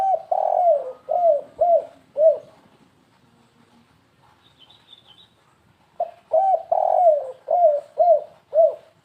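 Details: Spotted dove cooing in the stuttering 'kuk3 gagap' style used as a lure: two phrases of soft, hollow coos, each with a longer swelling note, separated by a quiet pause with a faint high twitter.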